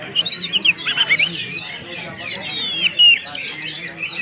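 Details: Orange-headed thrush delivering whistled ngeplong-style song: clear, high slurred whistles and quick chirps, some rising and some dropping, following one another at roughly one phrase per second.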